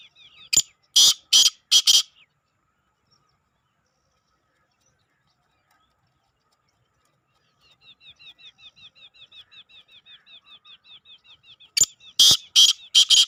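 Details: Black francolin calling: a phrase of four harsh, buzzy, grating notes over about two seconds, repeated near the end. A soft, rapid series of small chirps runs between the two phrases.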